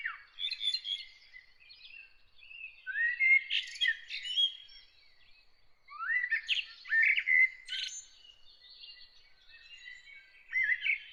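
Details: Early-morning bird song in bursts of varied chirps, trills and sweeping whistled notes, separated by short quiet gaps, with bright, high twitters throughout.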